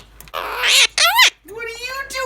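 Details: A pet Quaker parrot (monk parakeet) talks in bright, raspy bursts with rising and falling tones, mimicking human speech.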